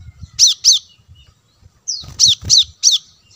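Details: Plain-throated sunbird lure sound: two rapid harsh high chirps, a thin upslurred whistle, then three more quick chirps, with low rumbling noise underneath.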